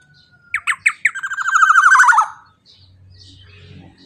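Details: Black-naped oriole calling loudly and energetically, used to coax other birds into singing. A quick trio of sharp upswept notes, then a drawn-out rasping, buzzing note that descends and fades. A low steady hum follows in the background.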